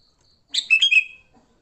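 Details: Sooty-headed bulbul giving its fighting song, used as a lure for wild bulbuls: one rich, bubbly phrase of three quick whistled notes with a trailing, falling tail, over near silence.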